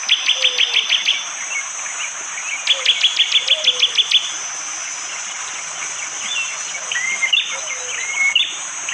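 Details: Bar-winged prinia singing its sharp 'tembakan' phrases in forest at Wonocoyo Village, Panggul, East Java, Indonesia, one morning, recorded on an Android phone: two bursts of rapid, evenly spaced high chips, with whistles from other birds and a steady insect drone.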